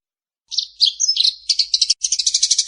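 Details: Eurasian tree sparrow fighting call, played for training birds. Varied sharp chirps and twitters come first, then a steady, rapid string of high chirps that repeats quickly to the end.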